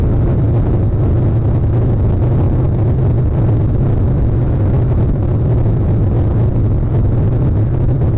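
A loud, steady low engine rumble fills the recording from start to finish, like a nearby vehicle or aircraft, and no animal call rises above it.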